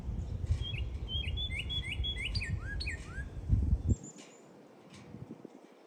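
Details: Red bird in cold wind: a rapid series of thin, slurred chirps over about three seconds, some dropping in pitch, with heavy low wind noise and a brief high whistle near the end.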